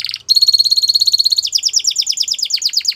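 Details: Canary holds a bright, even, rapidly pulsed trill, then shifts to a faster run of high falling notes.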